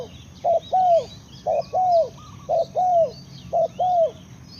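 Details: Spotted dove repeating a paired hollow coo, short note then a longer falling one, about once a second and very steadily, over a quiet background of distant bird chirps.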